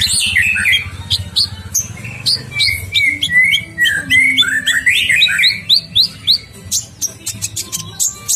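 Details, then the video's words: Ninja sunbird singing hard in a masteran recording: a chain of rising and falling whistled slurs followed by rapid, evenly spaced high chips, with a faint low drone behind. "Masteran kolibri ninja gacor"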